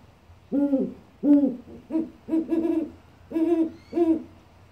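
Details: A captive great horned owl at an avian reconditioning center, one of two kept there, gives six or seven deep, soft hoots in an uneven rhythm with a quick doubled note in the middle; nothing else is heard.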